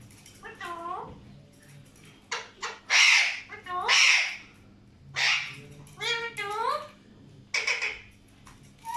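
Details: Lively, varied calling from indoor Alexandrine parakeets: curving, harmonic chattering notes interspersed with several loud, raspy broadband squawks, irregularly spaced over nine seconds.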